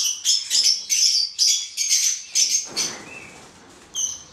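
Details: Captive hand-reared male black-headed caique uttering a rapid series of about eight harsh, shrill screeches, roughly two to three per second, followed by a quieter rustle and one last short squawk.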